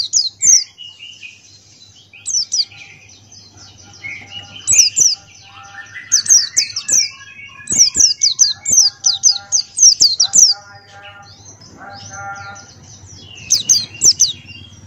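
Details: Gacor Buxtoni white-eye song for tutoring caged birds: repeated high, sharp, falling whistles in lively runs, mixed with lower warbled and chattering phrases and a faint steady hum.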